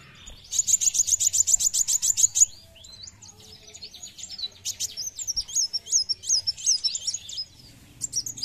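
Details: A sunbird, used as a lure call, gives a fast, high buzzy trill of about two seconds, then a run of sharp, high twittering notes that rise and fall.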